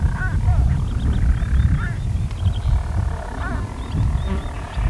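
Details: Unseen European storm petrels in their nest burrows, Skokholm, Pembrokeshire, Wales, recorded by day on 5 June 2013. Steady low purring churr, interrupted every second or two by quick hiccup notes, with thin high calls of other birds behind.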